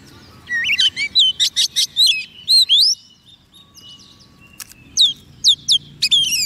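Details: Oriental magpie-robin, soft-food-fed and singing readily to call wild birds: quick series of sweet upward whistles and rattles, a pause, then more crisp rising notes.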